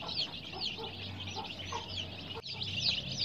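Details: Colored baby chicks in care with heat provided, a dense chorus of high overlapping peeps, with a short break in the middle and some lower murmurs beneath.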